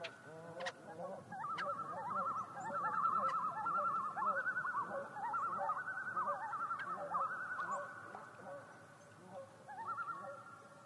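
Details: Common loon giving tremolo calls on Yellowstone Lake: rapid, quavering, laughter-like runs of wavering notes, rising and falling in pitch, sustained from about the second to the tenth second with a brief dip near the eighth, plus faint clicks.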